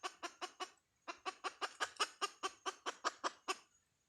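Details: Short, strong clucks from a hen come in a group of four, then after a pause a longer even run of about a dozen more.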